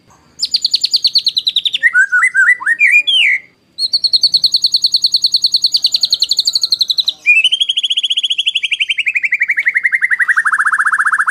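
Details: White-rumped shama (murai batu) master song in the harsh 'tembakan kasar' style, used to train competition birds: loud varied phrases, then rapid pulsing notes held high, ending in a long fast trill that slowly descends.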